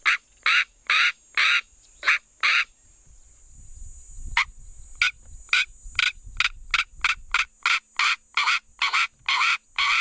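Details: Northern black korhaan in Kgalagadi Transfrontier Park, South Africa, giving loud, harsh rasping notes repeated about twice a second, pausing briefly before resuming in a faster series; faint low rumble underneath.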